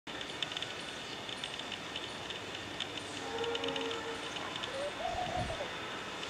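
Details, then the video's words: A laughing dove singing in the morning on a rusty pole gives a couple of soft, low coos, the second rising then falling, against a steady rumble and hiss of distant traffic or machinery. "a laughing dove singing in the morning"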